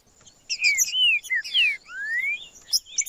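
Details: Green-winged saltator song meant to warm up quiet birds: a series of clear slurred whistles, mostly falling, one long rising whistle, mixed with short bright chirps.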